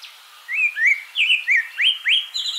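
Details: Abyssinian thrush (Turdus abyssinicus) song: a quick run of clear, varied whistled notes, some slurred upward, about three per second, over faint background hiss.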